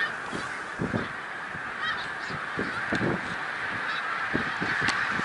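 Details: Snow geese at Middle Creek Wildlife Refuge, Pennsylvania, on March 1, 2021: a large flock giving a dense, continuous chorus of nasal honks and yelps, with overlapping calls blurring into a steady roar and some nearer honks standing out.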